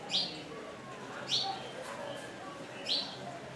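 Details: On a lodge roof in Pangani, Tanzania, a wire-tailed swallow gives three short, bright upswept chirps spaced over a few seconds, with faint softer twittering and steady ambient hiss between them.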